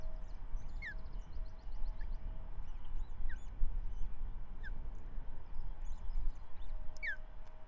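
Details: Osprey at the Manton Bay nest on 13 May 2023, female feeding the first chick of the year with a trout brought by the male that morning; sharp descending whistled notes recur every second or two over steady low wind rumble and faint high chirps.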